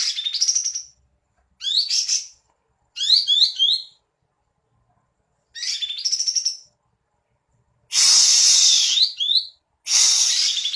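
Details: Energetic song of a Cream-vented bulbul displaying with a fanned tail: six bright, high phrases of trilled stutters and rising whistled slurs. Two later bursts sound harsher and fuller, with pauses between phrases.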